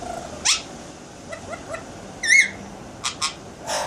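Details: Pet Alexandrine parakeet indoors doing talking and sound effects: scattered short chirps and clicks, a bright wavering whistle in the middle, then a few sharp squeaks and a raspy closing note in a quiet room.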